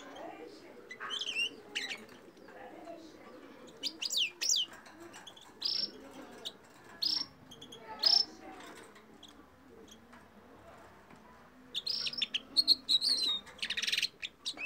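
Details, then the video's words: Red crossbill singing: short, bright bursts of high chirps and buzzy notes in clusters, separated by brief pauses, over a soft low murmur in the background. "تغريد طائر الفلاق (باق كروازي)"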